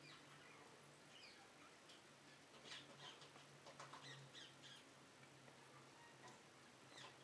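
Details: Eurasian jay (Garrulus glandarius) in a back garden in the Netherlands giving a few harsh, rasping screeches in quick bursts midway, faint against a low steady hum and background hiss.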